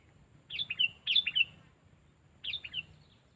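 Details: Sooty-headed bulbul being trained as a bold decoy for bird trapping, voice described as loud, clear and sharp; three bubbly, fluty phrases of quick descending notes, two close together then one after a pause, over a low steady hum.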